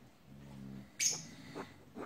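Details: A pet blue-and-yellow macaw, indoors and being naughty by trying to eat the sofa, gives one loud, harsh screech after a low murmur, then two shorter, fainter rasping notes about half a second apart.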